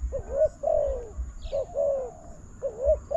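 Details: Spotted dove vocalising to a decoy in a trapping contest setting with a new enclosure; rhythmic two-part coos, rising short note and falling drawn note, repeated three times with a brief high chirp.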